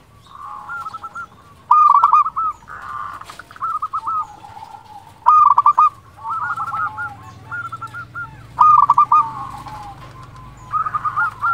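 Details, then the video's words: Local Indonesian zebra dove, a strong-voiced, persistent singer used as a lure to provoke other doves to answer. Loud rolling cooing phrases of quick pulsed notes recur every few seconds, with softer dove phrases between. "Perkutut lokal gacor suara besar Biang untuk pancingan SEKALI PUTAR pasti nyaut"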